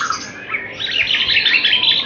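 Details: Young captive white-rumped shama, very young, being trained to build confidence before competition: loud, rapid jumble of high chirps and twittering trills, dense and continuous, recorded indoors close up.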